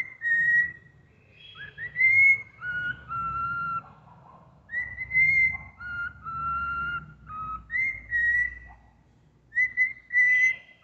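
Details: Pet cockatiel whistling the Happy Birthday melody: clear, pure whistled phrases that step up and down between held notes, with short pauses between phrases and some faint low background hum.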